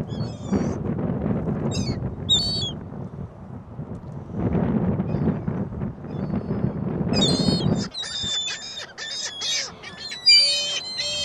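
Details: Gulls at a shopping mall on a very windy Christmas Day 2014: a few shrill calls over low rumbling noise, then a dense burst of overlapping squealing, yelping calls from several birds.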